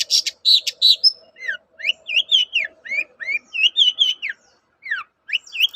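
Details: Long-tailed shrike (cendet) singing energetically, used as lure audio to provoke other shrikes into answering. A few hoarse rasps open into a string of clear, slurred whistles, each bending up or down, delivered roughly twice a second over a faint low hum.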